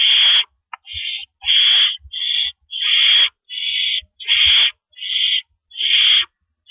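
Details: Owls at a nest at night on April 4, 2012, around 4:31 AM, with rabbits delivered and removed. A steady run of rasping, breathy screeches, about one per second, with faint low knocks between them.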